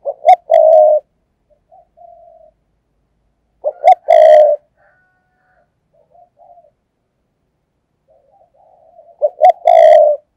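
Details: Spotted dove used as a perched decoy to lure doves, thúc gù urging coo: three separate phrases, each two clipped low notes followed by a loud rolling coo, with soft quiet murmurs between them.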